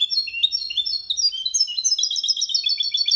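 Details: Clean Malaga-style singing by a goldfinch × canary mule used to encourage males to sing: fast, warbling high notes rolled in quick succession, sliding up then down, steady and uninterrupted.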